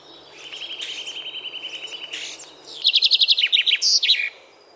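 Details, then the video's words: In spring, a male common starling back from its wintering grounds in a Polish forest sings passionately while flapping its wings and shaking its whole body to the beat: a jumbled medley of fast dry rattles, thin high whistles and loud clicking chatter. "powracają z zimowisk inne ptaki. Namiętnie śpiewają szpaki. Trzepoczą przy tym skrzydłami"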